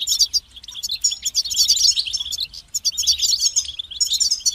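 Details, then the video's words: A European goldfinch sings almost without pause: high, jangling twitters and fast liquid trills tumble together, easing briefly near the middle before resuming. "Highlighting motivating songs for creative goldfinches in simple ways"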